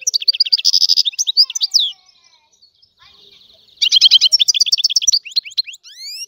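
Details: Wild European goldfinch called Algerian goldfinch sings a fast run of high twitters and a buzzy trill, falls quiet with faint notes, then resumes with bright rippling phrases and rising whistled slurs.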